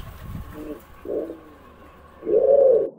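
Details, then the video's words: Low pigeon coos: a quiet muffled note, a short swelling hoot, a pause, then a loud drawn-out rolling coo lasting over half a second that ends abruptly. "pigeon sound"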